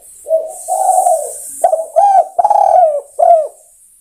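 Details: Spotted dove (tekukur) cooing to call other birds: mellow, low notes, a long drawn coo, then several short clipped coos and a final rounded note, with faint high hiss behind.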